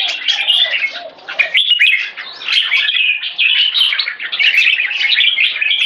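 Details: Singing red-whiskered bulbul in the "one stroke" style that leads to keke, pouring out busy, jumbled chirps and liquid whistles in long loud phrases with brief dips.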